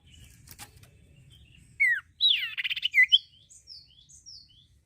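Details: Common iora in full song, meant to spur other birds into singing: a short burst of sharp downslurred notes, then a rapid rattling cluster and a few thin high whistles trailing off, against quiet background hum.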